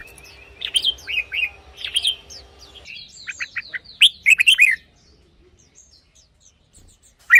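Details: Red-whiskered bulbul singing for decoy or to get caged birds excited. Chirpy whistled phrases, then a fast cluster of three to four bright notes, a quiet gap, and a final loud note. There is a soft background hum.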